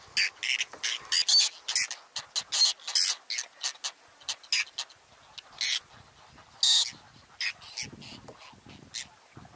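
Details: Whiskered terns at a nesting colony on water chestnut and lotus beds in Astrakhan State Nature Reserve, Russia, 22 July, birds still building nests: a rapid series of harsh rasping calls, many overlapping, with fainter ones between.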